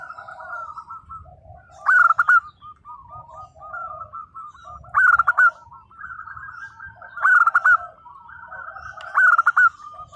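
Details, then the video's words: Local zebra doves: a nearby bird gives loud, rippling coo bursts roughly every two to three seconds while several quieter doves keep up soft, overlapping coo phrases between them. "perkutut lokal gacor _suara nembak perkutut lokal bisu_"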